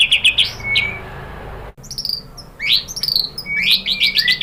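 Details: Murai batu lure song used to provoke other shamas: short bright trills and sweeping whistled notes in quick broken phrases, with a brief cut partway through.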